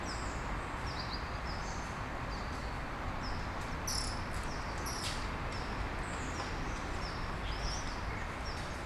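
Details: Small birds at dawn in Brasília, Brazil: many short, high, thin chirps and quick downward-sliding twitters from several overlapping callers, scattered throughout over a steady low rumble of background noise.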